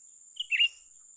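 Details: Brief call of a young cucak ranting bulbul during luring: one high whistled note followed by a tumbling, slurred warble, over a steady high hiss.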